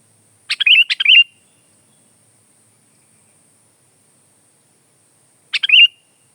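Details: Kutilang (sooty-headed bulbul) song for tutoring caged birds or luring: two quick double-clicked phrases with warbled whistles, a long silence, then one more matching phrase, over a faint high hiss.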